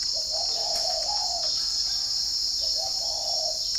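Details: In the morning in Ba Vì, Hanoi, Vietnam, a kept spotted dove gives gentle, hollow coos in two short phrases with a pause between them. Wild birds reply. Constant high cicada-like buzzing runs underneath.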